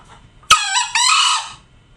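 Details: A tame green junglefowl gives a single loud crow, a brief scratchy opening syllable joined to a drawn-out, rasping, buzzy second part of roughly half a second, before the sound fades into quiet low rumble.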